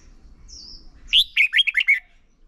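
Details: Decoy red-whiskered bulbul singing contest-style song used to train and stimulate other birds: a thin high whistle, then a quick phrase of five bright warbled notes.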